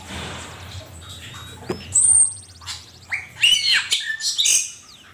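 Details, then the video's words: Asian pied starling song used as a master recording for training songbirds: a sharp upward whistle, a high thin drawn-out note, then clustered harsh, buzzy and whistled phrases in quick succession against a quiet background. "Suara burung cucak keling masteran jitu 100%"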